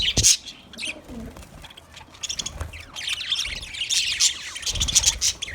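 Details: Budgies in a cage produce continuous scratchy, warbled high chatter with sharp chirps and squawks, busiest in the latter half, over light background noise.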